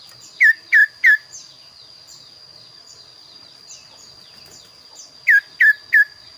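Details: Kaso-kaso bird singing actively, its voice described as unique and varied. Two bursts of three loud, sharp, downslurred whistled notes in quick succession, separated by a long pause, over a steady high thin tone and quiet background.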